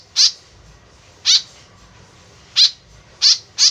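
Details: White-breasted woodswallow used as a lure call, tame bird: five loud, harsh, falling notes, widely spaced at first, then two closer together near the end.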